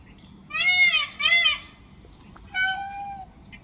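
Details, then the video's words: Indian peafowl calling during a peacock dance display on a roof: three loud, ringing, arched calls rich in overtones, two close together and a third after a short pause. "peacock sound"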